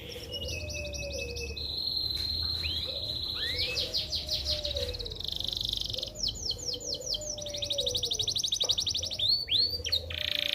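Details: Tireless canary song used as a master for young birds and to induce females to breed: long varied phrases of rapid high trills, sustained buzzy rolls, and slurred whistles, with a faint lower warbling sound in the background.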